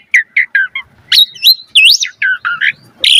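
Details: Jalak suren, the Asian pied starling, singing an energetic gacor song with varied filler notes for training other birds: short slurred whistles, several higher swooping notes mid-phrase, then buzzy repeated notes and a harsh burst at the end.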